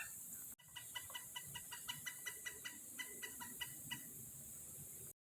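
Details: Pileated Woodpecker, unseen, gives a loud series of about sixteen even, ringing notes, roughly four per second, on the La Chua Trail, Paynes Prairie, Florida, 24 August 2022; insect hiss plus a small tractor's engine rumble nearby.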